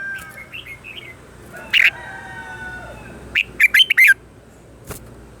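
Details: Red-whiskered bulbul morning song for voice training: a brief loud note, then a quick run of four bright chirped notes, with soft background twittering and a low noisy hum.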